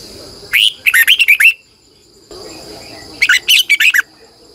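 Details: Lure red-whiskered bulbul in morning song, long twisted double-voiced singing for training other bulbuls: two bursts of rapid, clear warbled whistles, six or seven syllables each, with a second-long quiet pause between.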